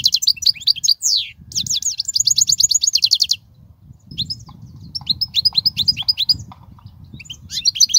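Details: European goldfinch song, used to teach young goldfinches: dense fast twittering, then an even trill of about a dozen repeated notes, a pause, and more liquid chirps and slurred notes returning toward the end.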